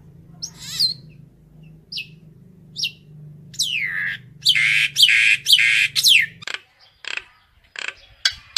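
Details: Common myna gathering its flock: scattered sharp falling whistles over a low hum, then a loud cluster of harsh, rasping squawks and swooping notes, ending in quick clicks.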